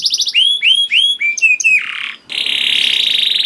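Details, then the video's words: Song of a young canary, played to coax other canaries into singing: looping whistled phrases step downward, then a harsh buzzy patch and a sustained rattling, insect-like roll. "PANCINGAN KENARI PAUD TERBUKTI AMPUH MEMANCING KENARI SUSAH BUNYI IKUT GACOR"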